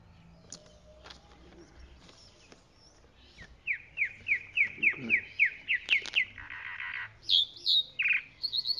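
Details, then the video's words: Song of a chalk-browed mockingbird: after a quiet start, a fast series of short rising slurred notes, then rasping buzzy phrases and squeaky whistles, varied and energetic. "Calandria Grande Canto - Calandria Grande - Chalk-browed Mockingbird Bird Song - Mimus Saturninus"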